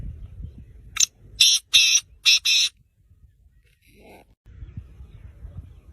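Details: A six-month-old black francolin (Francolinus francolinus) calling: four harsh, grating notes in a quick rhythmic burst, followed by a brief faint squeak over low background rumble.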